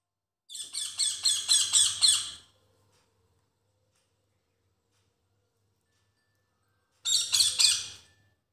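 A parrot gives two bursts of harsh, grating squawks, about four per second, separated by a few seconds of silence.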